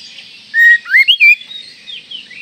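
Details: Oriental magpie-robin call said to stir other magpie-robins: a flat whistle followed by quick rising and twisting notes, then soft warbling over faint background noise.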